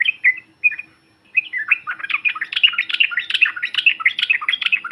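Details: Yellow-vented bulbul sound used for provoking other birds: a few separate chirps, then a long rapid bubbling chatter of jumbled notes building in intensity.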